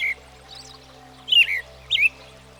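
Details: American Robin, a common backyard bird of the U.S., giving two brief whistled phrases at mid pitch after a short opening note, with a steady low hum underneath.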